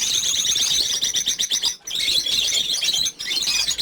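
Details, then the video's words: Over fifty captive lovebirds at a breeding farm: dense, shrill chirping and twittering from many birds at once, continuous high chatter broken by two brief pauses. "Just Lovebirds"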